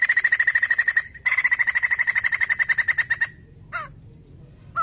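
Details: White-crested laughingthrush in a lively calling bout used as a lure sound: a fast, rattling series of short pulses near one steady pitch, broken by a brief pause, then ending with two separate swooping notes.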